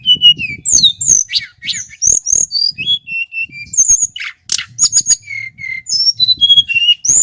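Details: Varied, persistent song of a local male Sunda whistling thrush from Merapi. Thin high whistles and downslurred notes alternate with harsh clicking chirps, then a run of level whistles stepping downward.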